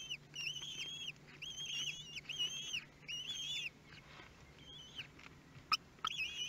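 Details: Nesting common kestrel in Théding, France, 23 May 2022, at the nestlings' first meal: a run of five drawn-out, wavering, arched whines in quick succession, then a quieter stretch with faint calls and clicks before the whining resumes.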